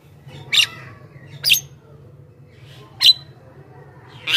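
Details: Javan myna song played to draw in wild mynas: four loud harsh squawky bursts, each with a brief whistled edge, spaced one to one and a half seconds apart, with a constant low hum behind.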